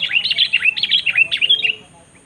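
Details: Sooty-headed bulbul in a pikat competition, singing against a rival bird. A burst of quick, rolling, bubbly notes, about seven in under two seconds, ending abruptly into quiet.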